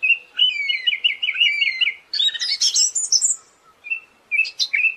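A thrush sings a fast, varied song: a rapid rattling trill, then bright chattering phrases and short clear whistles, high-pitched and loud, with no other sounds.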